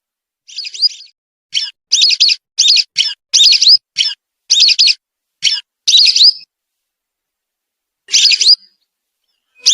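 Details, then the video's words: Lesser whistling duck calls played as a lure for attracting birds: a quick, irregular series of short, high, twittering whistled bursts, some with rising notes, followed by a pause and then two further bursts. "Suara ampuh pemikat burung belibis"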